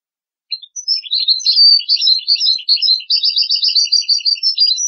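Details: European goldfinch song used as a tutor recording for teaching young goldfinches and hybrid chicks to sing: a continuous, rapid twittering of high, tinkling notes with buzzy and liquid elements, starting after half a second of silence, on a clean background.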